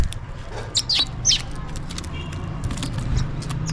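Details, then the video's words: Feeding house sparrows calling for food: a few sharp, downward-sweeping chirps early on, then quieter scattered chirps over steady low hum. "Sparrow Birds Chirping and Calling for food"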